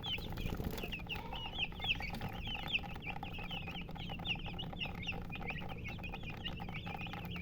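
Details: Chirping chickens, identified as colored murgi hens: sharp, high, hooked peeps, some louder and clearer, tumbling over each other almost without pause, with a background hum.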